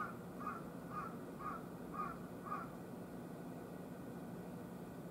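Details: Wild carrion crow on a hot August 14 morning, around 10:00, three birds at a utility pole. Five hoarse caws come in a quick, even series about two per second, then stop, over a steady low background rumble.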